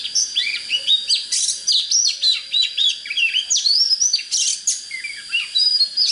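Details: Oriental magpie-robin singing intensely to rouse birds for fighting wild birds; a dense, nonstop stream of rapid chirps, slurred whistles and harsh scratchy bursts, very busy and loud throughout.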